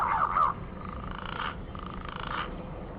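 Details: Green pigeon calling: a short wavering note at the start, then two drawn-out, mid-pitched whistled phrases with a slightly buzzy, throbbing texture, each lasting under a second, over a low steady background hum.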